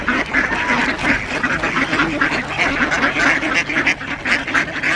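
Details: A crowd of ducks at feeding time on Diss Mere, 17 December 2022, alongside two geese; rasping quacks pile over one another in a steady, unbroken clamour with no pauses.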